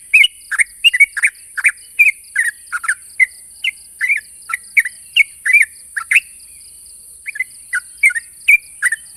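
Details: Rival-challenging call of a sooty-headed bulbul: steady series of short, bright chirps and downslurred notes repeated through the clip, with a continuous high hiss in the background.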